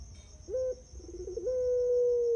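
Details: Puter pelung turtle dove singing on a clear master recording meant to coax birds into song: a short hooting note, a low warbling burble, then a long, steady, sustained tone held to the end, over a faint constant high hum.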